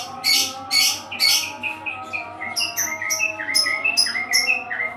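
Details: Oriental magpie-robin, known locally as kacer, in melodious song: three loud harsh rasping notes open, followed by a rapid series of clear whistled and chirping notes, roughly two per second; low hum underneath.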